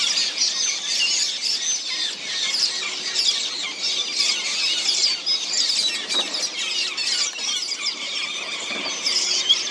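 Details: Metallic starlings, recorded 20 November 2023, chatter in a dense, continuous flock chorus of high, squeaky, buzzy notes that overlap without pause.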